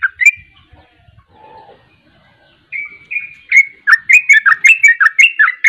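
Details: Sooty-headed bulbul singing in the rapid 'ropel' style, a kept songbird trained for song contests; after a quiet start with a few soft notes, loud bubbly whistled phrases build into fast repeated bursts, about two per second.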